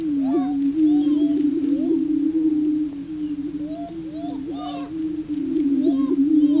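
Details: Prairie chicken males performing on the booming grounds to attract a female: a constant deep hum of booms, with frequent short whistled upslurs and chatter above it and faint clicks.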